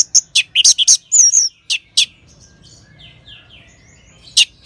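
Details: Orange-headed thrush singing, northern Bali, as a training sound for other songbirds: a quick string of sharp high chirps and a short whistled trill, then soft faint notes and one final chirp.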